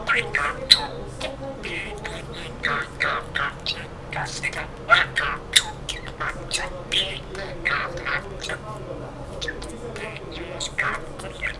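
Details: Male budgerigar, three and a half years old, chatters in front of a mirror while bobbing as if dancing. The sound is a rapid, continuous warble of scratchy, clicking and squeaky notes with occasional sharper chirps, over a low indoor hum.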